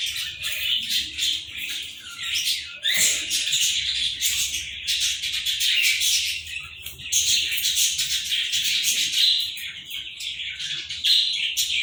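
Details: Indian ring-necked green parrot pair, captive, producing a near-continuous stream of loud, scratchy chattering and shrill squawks, dense and overlapping for twelve seconds, with a brief dip near the third second.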